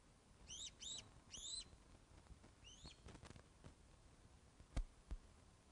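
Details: Osprey calling at its Loch of the Lowes nest during a fish delivery, webcam footage, 21 August 2012, 16:35; three sharp, high, down-slurred whistled chirps, then a lone one, with clicks and knocks and low background hum.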